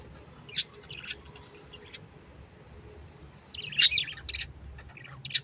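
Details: Parrot producing a few thin chirps early on, then a burst of louder, rapid squeaky calls toward the end.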